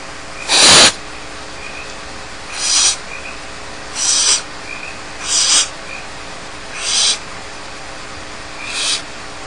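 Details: Young barn owls alone in their nest at Starr Ranch make six wheezing, snore-like hisses roughly every one to two seconds. The first is loudest and the later ones are softer, with faint high peeps in between.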